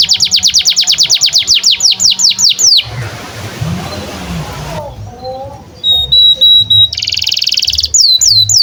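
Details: Canary singing a long song used as tutor audio for young canaries and birds that have stopped singing: a quick series of high falling whistles, then a noisy hissing gap with faint notes, then a buzzy trill and more whistles.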